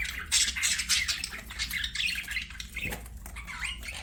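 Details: Several budgerigars singing while playing, a continuous overlapping warble of scratchy chirps and squeaks with no pauses.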